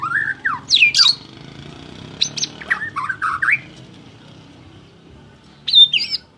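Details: Singing white-rumped shama, a contest champion: loud, sharp up-slurred whistles and a high ringing note, then a quieter run of warbled phrases, a long gap, and a final high burst.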